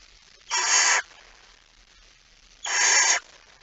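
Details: Two evenly spaced, harsh hissing screeches, each about half a second, from a barn owl at night as the male arrives with a mouse, 17 September 2019, 23:55.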